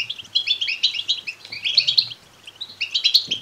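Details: Clean, high-pitched begging twitter of European goldfinch chicks: rapid buzzy chirps in three clustered bursts, with a brief quiet gap. Meant to encourage males to sing and mate.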